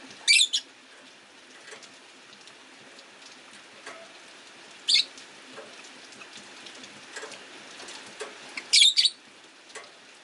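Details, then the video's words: Caged rosy-faced lovebirds near a window, one orange-faced bird shifting left and right of another for a perch spot; short high chirps at the start, middle and end, over constant rain patter. "Lovebird Chirping Sounds"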